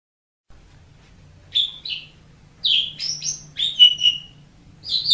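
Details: Tutor recording for a pet Asian pied starling: after a quiet start, separate bright whistled and raspy notes come in loose phrases about once per second, with a faint low hum behind.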